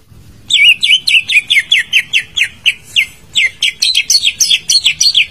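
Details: Greater green leafbird song for prompting a bird that has stopped singing: a dense string of sharp, bright whistled notes, quickly repeated and varied, over faint background hiss.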